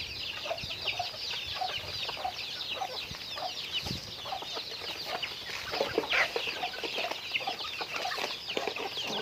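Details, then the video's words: Chickens going about their daily activity: a dense flock chatter of high, short chirping notes runs throughout, with softer low clucks scattered beneath and a few sharper, louder calls near the end. "Natural Sounds of Chickens"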